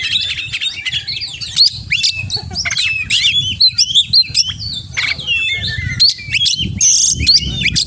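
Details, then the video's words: Energetic full-isian song from an oriental magpie-robin, tumbling sequences of bright whistles, sharp upslurs and harsh chattering notes, over a soft, regular low music beat. "Kacer Gacor Full Isian"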